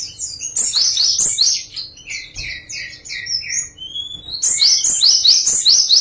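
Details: Java sparrow delivering a song variation: quick high chirps, then a middle stretch of lower rising whistled notes, then a fresh burst of sharp, rapid chirping.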